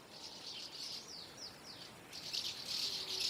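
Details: Common house martins massing before flight, giving quick, buzzy twittering notes and short downward chirps that swell louder toward the end as the flock chatter thickens.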